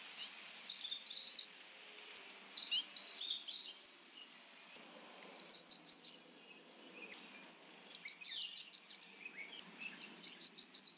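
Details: Blackburnian warbler calling repeatedly: five brisk series of rapid, very high, thin notes, each lasting about a second, spaced roughly two seconds apart, with an occasional higher upslurred note; otherwise quiet.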